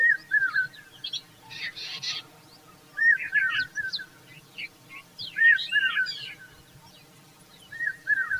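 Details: Indian common babbler, a parent fanning its chicks with its feathers: short chirped notes in quick little clusters, given every couple of seconds, with harsher, higher scratchy notes between them.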